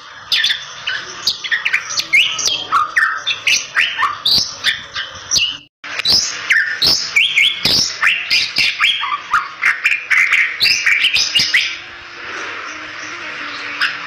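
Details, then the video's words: A Bali myna in full song, used as a lure to prompt other Bali mynas, sings a busy run of chattering whistles, squawks and sharp chips, two or so a second, with a brief pause midway. "Suara Merdu Jalak Bali Gacor Untuk Pancingan Burung Jalak Balimu"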